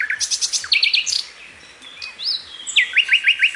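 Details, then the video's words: Common nightingale (Luscinia megarhynchos) song: rapid repeated high chirps, a burst of quick looping notes, then, after a short pause, a fast series of sharp rising whistles. Described as a crystal-clear voice with sharp bursts. "SUARA CRISTAL DAN BESETAN TAJAM"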